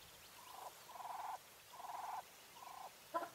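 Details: Female English White Coturnix quail calling four drawn-out, buzzy, nasal notes at a steady mid pitch, each under half a second with short gaps, then a final sharp note.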